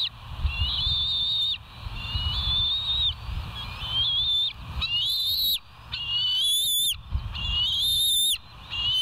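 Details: Bald eagles at the West End nest, recorded by a live nature camera on 25 July 2023 around 05:10. High, thin whistled calls, each sliding and rising, repeat in short bursts every one to two seconds over a steady low rumble of background noise.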